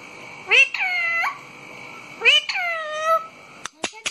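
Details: Pet parrot making two drawn-out, nasal, meow-like calls that rise sharply and then sag slowly, followed by three short clicking taps at the close, with a constant background tone.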